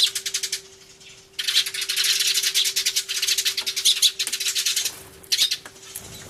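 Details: A flock of sparrows in a noisy uproar, filmed 24 March 2013 with an Everio, a turtledove nearby: rhythmic harsh chirps, then a long unbroken wall of overlapping shrill chatter for several seconds, easing off near the end; faint constant hum beneath.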